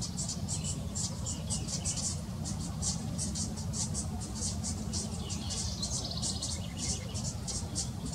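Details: A fledgling House Wren, staying apart from its mother and siblings, gives begging calls: high, thin, raspy notes, about four a second in a steady run, over a constant low rumble of traffic or wind.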